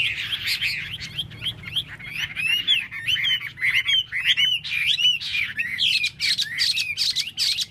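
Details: Varied, energetic hwamei singing: a dense stream of bright whistled slurs and sweeping notes, phrases tumbling one after another with hardly a pause, some notes dipping and others climbing sharply.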